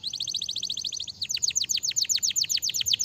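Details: Canary sings a fast, tight trill of tiny high notes, followed by a rhythmic series of loud, plunging chirps delivered several per second.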